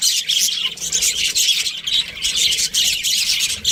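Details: Breeding pair of Australian budgies keeping up a continuous stream of harsh, buzzy high chirps and squawky chatter.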